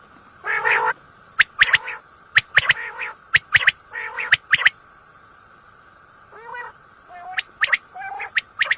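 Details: Common quail at night, a recording used by hunters and said to be of a female: clipped triple-note calls roughly every second, mixed with rasping nasal notes, over a steady electronic-sounding drone.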